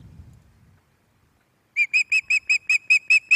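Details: Resident female Osprey at Loch of the Lowes, May 2024 evening, calling on the nest: low rumbling at first, then after a silence nine loud, high whistled chirps in a regular, rapid sequence.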